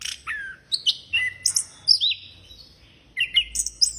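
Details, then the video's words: Orange-headed thrush in lively song: a falling whistled note, then a mix of high squeaky and buzzy phrases separated by short gaps, ending in sharp chirps. "Burung Anis Kembang Gocor Banget"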